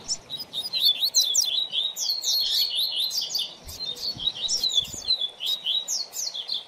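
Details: Double-collared seedeater song, used as a lesson for a young bird. Continuous rapid, high, slurred whistles and chips run without a break, with a few soft low knocks.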